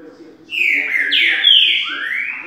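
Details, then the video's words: A green-winged saltator (trinca-ferro) sings a "boiadeiro" song type: a loud, rich whistled phrase of slurred notes, sweeping down then rising again, over faint murmuring voices. "Trinca ferro Currícutil Boi"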